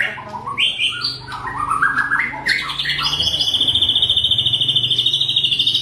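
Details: Fighter white-rumped shama delivering tight, sharp rapid-fire song used to stir up rival shamas: varied rising whistled phrases and chirps at first, ending in a long, fast, steady high trill of rapidly repeated notes.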